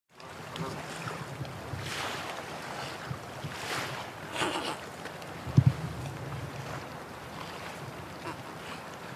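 Outdoor wind rumble and water wash fill the recording, broken only by a brief low thump midway, with no animal calls heard.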